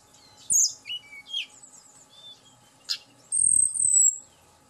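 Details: Hill blue flycatcher song played to stir the bird into singing: sharp high whistled notes and short slurred chirps, then a long clear sweet whistle near the end, over faint low background hum.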